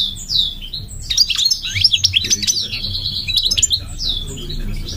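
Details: Migratory goldfinch singing a dense, rapid twittering song of high chirps and short trills, with a low hum underneath.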